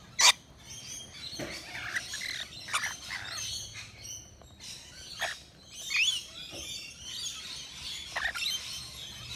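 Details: Rainbow lorikeets, native Australian birds, visiting a balcony nectar feeder: sharp high screeches and chattering squeaks scattered across the recording, with loud bursts near the start, middle and end, plus fainter twittering between.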